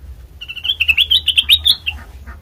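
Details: Black-crested bulbul song for luring birds into traps: a short whistled lead-in, then a rapid phrase of bouncy, up-slurred chirps that ends in a softer falling note.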